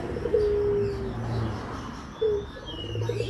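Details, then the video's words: Barbary dove cooing as a lure to set other doves calling: one clipped note sliding into a long, low, level hum, then another short note after a pause. "pancingan suara puter"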